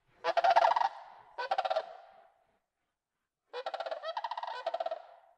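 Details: Sandhill cranes flying over Yellowstone National Park as they head south on migration give loud, rolling, rattling bugles in overlapping bursts, several birds calling together, with a brief quiet gap between volleys.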